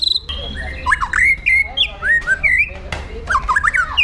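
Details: White-rumped shama in fierce 'pastol jahat' song meant to train other birds, with varied whistled notes sliding up and down, some buzzy chatter between phrases, delivered in a lively continuous stream.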